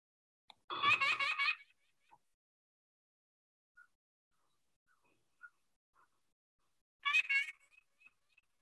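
White-breasted Nuthatch giving a quick run of nasal, tooting yank notes, about five in a second, then a second shorter burst after a pause.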